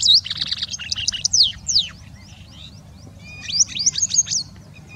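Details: A White-browed wagtail (Motacilla maderaspatensis) calls, giving two bursts of loud, high, sweet whistled and trilled notes a second apart, over a faint low hum.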